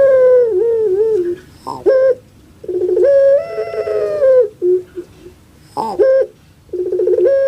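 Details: Kept puter pelung, a dove famed in Java, Indonesia, for its distinctive voice likened to a crying baby: long wavering nasal coos alternating with short harsh rolled bursts, repeated in phrases of a few seconds, loud and close.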